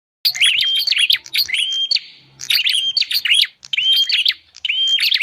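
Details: Bar-winged prinia lure call used to attract wild birds: sharp clicks followed by a level whistled note, in bursts roughly every second, with a short gap midway; faint low hum in the background.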